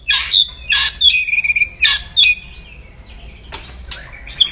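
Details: Caged white-rumped shama giving loud, aggressive crackling song used to provoke rival males: harsh broadband bursts alternating with sharp high whistled notes, several bursts per second, then softer scratchy notes and a final high chip.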